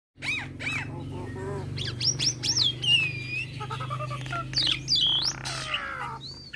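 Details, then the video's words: Nias hill myna song, played to stir other starlings into singing: loud whistled notes swooping up and down, harsh squawky bursts and clicks in a fast, irregular run over a steady low hum. "Kicauan Burung Jalak Akan Bunyi Jika Dengar Kicauan Jalak Nias Suara Unik Pasti Bikin Emosi"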